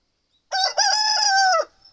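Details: Seven-month-old Satsuma rooster crowing in the morning: one loud harsh cock-a-doodle-doo lasting just over a second, a short first note then a long steady drawn-out tone falling away at the end, on a quiet background.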